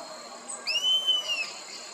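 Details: A Rusty-margined flycatcher at a reservoir edge in Parque Quineira, Chapada dos Guimarães, Mato Grosso, gives a single drawn-out, plaintive whistle under a second long that rises slightly and then eases down, over soft background hiss.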